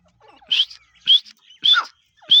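A grey francolin gives loud, shrill, high-pitched notes in quick repetition, about two per second, with fainter softer notes between them.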